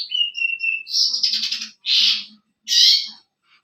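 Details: Lively masteran birdsong for prompting other birds to reply: a long steady whistle, then a rattling buzzy trill and two loud harsh rasps, with a faint low hum underneath.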